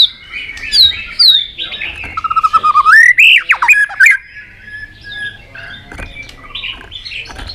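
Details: White-rumped shama in an excited state with tail-flicking, singing many voices: high upslurred whistles, then a fast rattling series of notes rising into loud warbled phrases, fading into softer whistles.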